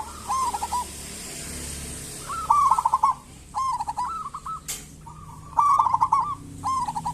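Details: Zebra dove singing, a local bird used as a lure so other zebra doves call back: five rolling coo phrases, each a quick stuttered run into mellow notes, spaced about a second apart, with one sharp click.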